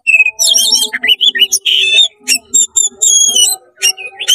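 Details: Oriental magpie-robin delivering rapid, excited song to rile other magpie-robins: harsh buzzy bursts, twittering runs and ringing whistled notes packed closely together, with a soft steady tone underneath.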